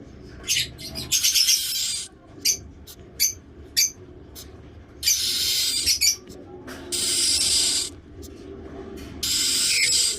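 A week-old cockatiel chick gives harsh, raspy hissing bursts, some short and clipped, others drawn out.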